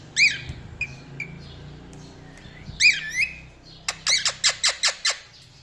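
A cockatiel gives bright, rising chirps and whistles, then a quick run of harsh, repeated squawks.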